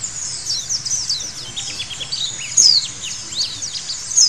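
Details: High, busy white-eye twittering played to prompt birds into lively singing: fast chirps and thin down-slurred whistles tumbling over one another, with a couple of sharper, louder notes toward the end; low background hum.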